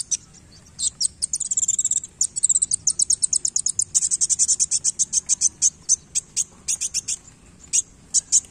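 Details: Sunbird singing hard while flicking its tail; a long, rapid trill of shrill high notes, fairly even in pace, breaking into spaced chirps near the end.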